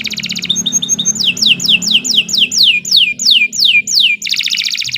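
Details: Canary of the Kenari Nusantara kind, long song for training other birds: quick trill, short high notes, then a rhythmic row of falling whistles about every third of a second, closing with a rapid buzzy trill.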